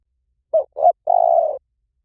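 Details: 'Liw tan' style spotted dove call, meant to lure and train birds to call back: two soft rising hoots, then a long, steady, trembling coo. Nothing else is audible.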